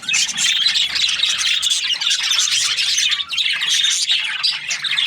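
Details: A noisy group of budgerigars keeps up dense, high chirping and warbled twittering, loud and steady, dipping briefly just after the third second before resuming.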